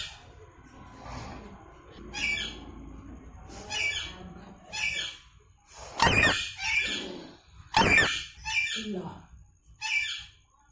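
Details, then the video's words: Rose-ringed parakeet uttering harsh, grating squawks in an irregular series of roughly a dozen bursts, some loud and broadband, others thinner and shorter, with background rustling noise between calls. "Ringneck Parrot Natural Sound"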